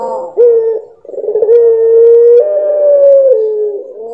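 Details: Loud puter pelung dove song in a distinct rhythm character: a short bent note, a fluttering tremolo, then long sustained tones that step up and back down in pitch.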